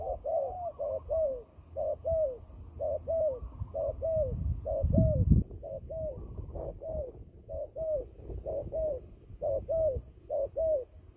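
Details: Turtle dove kept for trapping, cooing in a fighting context: short hoarse coos repeated about once a second in a steady series, with a brief low thump partway through.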